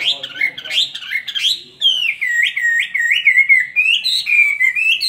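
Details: Chinese hwamei held in a cage for two years, singing a competitive fighting song: a rough, chattering start, then a series of bright, looping whistles that rise and fall, each roughly half a second long.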